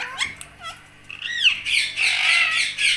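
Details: Indian ringneck parakeet kept as a talking pet, uttering short whistled slurs followed by a loud, harsh, sustained squawk indoors.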